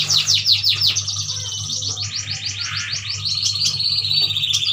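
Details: Captive Kalimantan yuhinas in lively song, a flurry of thin high chirps and fast repeated downward slurs running into a sustained buzzy trill, with a constant low electrical hum beneath.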